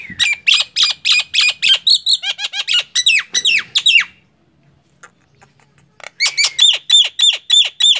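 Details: Nias hill myna in vigorous song: fast repeated squawky notes and falling whistles, a short silence, then another run of ringing repeated notes.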